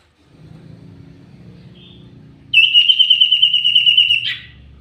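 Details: Common iora used as a lure, singing actively: a sustained rapid trill of high clear notes on one pitch for nearly two seconds ending in a rough flourish, over a steady low engine-like rumble.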